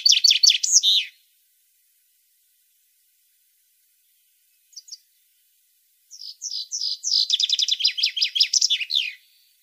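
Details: European goldfinch singing, for stimulating captive goldfinches: a dense burst of high twitters, a long silence with a tiny double chip, then a renewed song of slurred notes quickening into fast liquid trills.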